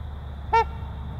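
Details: A trumpeter swan from a breeding pair gives one brief, nasal, horn-like honk over a steady low rumble of background noise.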